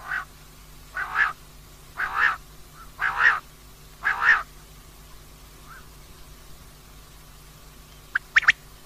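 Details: Female common quail calling with four broad, husky notes spaced about a second apart, a pause, and then a few quick sharp notes near the end.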